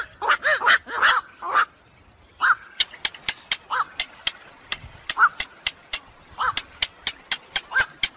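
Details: Black-crowned night heron calls used as a trapping lure at night: a quick burst of hoarse squawks at the start, then sparse single croaks among steady sharp clicking ticks.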